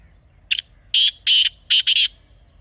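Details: Black francolin (kala teetar), a wild Pakistani bird recorded in its natural setting and used for hunting. A full phrase: a brief sharp opening note, two long grating notes, then a hurried harsh double note. The sound is loud and clipped.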